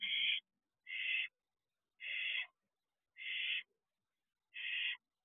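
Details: Nest-box barn owl, an owlet grown for about two months since hatching, recorded at 12:26 am on 6/2/23: five harsh, breathy hissing screeches, each under half a second, repeated roughly every second with silent gaps, no other sounds.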